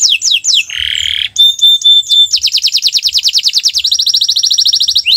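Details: Canary song meant to train other birds: a few quick downward slurs, a harsh buzzy burst, a pure steady whistle, then an accelerating series of repeated notes that becomes a fast, even trill.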